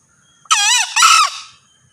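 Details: Crow of a male green junglefowl: two loud, hoarse syllables in quick succession, the second slightly higher and squeakier, ending abruptly after about one second.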